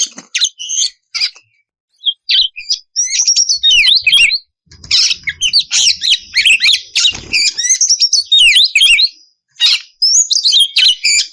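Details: Oriental magpie-robin lure in ngeplong style to make raw birds respond; starts with spaced high chips, then builds into a fast, harsh, squawking and whistling medley with sweeping notes, ending in short bursts.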